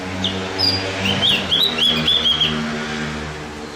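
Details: Javan grey-throated white-eye training song for exciting other birds: a high, rapid warbling run of about one and a half seconds over a steady low engine rumble.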